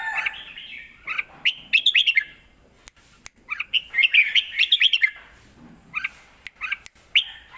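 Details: Caged red-whiskered bulbul delivering 'lak wai' style song used to tutor young birds: lively warbled phrases of quick slurred notes in two main bursts, then scattered short chirps, with occasional sharp clicks.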